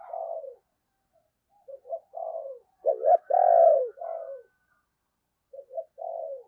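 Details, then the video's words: Decoy spotted dove calling to lure wild doves, used in the morning: soft low hollow coos in short phrases, a clipped double note and then a longer falling coo, with pauses between groups. "cu gáy - Chim Cu Mồi Thúc Và Gáy Gọi Bổi, Dùng Kích Bổi Vào Buổi Sáng Rất Hiệu Quả"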